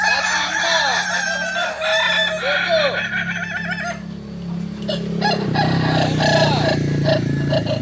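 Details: Kokok Balenggek roosters crow at a practice meet in Ampang Kualo, Kota Solok, with arched, wavering syllables strung together in the first three seconds over a steady low droning hum that continues to the end.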